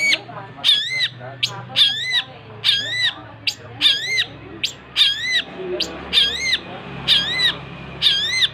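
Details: Long-tailed shrike in loud, active song: a sharp, bent whistled note with a buzzy overtone repeated about once per second, with quieter chattering between phrases and faint background voices.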